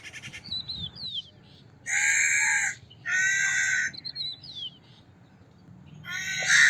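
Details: Crow uttering two long, rough, evenly paced caws, framed by high thin whistled chirps of small birds and another crow-like caw building at the end.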